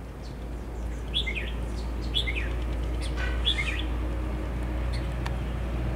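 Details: Red-whiskered bulbul used as a decoy for trapping, recorded on 10 November 2020: three short warbled, slurred phrases about a second apart, over a steady low engine-like hum.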